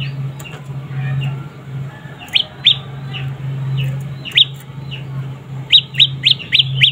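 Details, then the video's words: Juvenile prinia, described as very vocal, making sharp, high, falling chirps, scattered at first, then in a quick run of five near the end, over a constant low electrical hum. "Suara anakan burung prenjak lumut gacor mantab"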